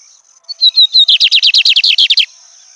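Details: Song of a lined seedeater, or bigodinho, looking out at nature: a few level whistles lead into a fast, even series of about a dozen harsh down-slurred notes, with a constant high-pitched whine behind it.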